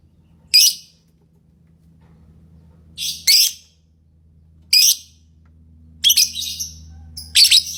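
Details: Lovebird calls: sharp, screechy chirps, some doubled, arriving at irregular gaps of one to two seconds over a steady low background hum.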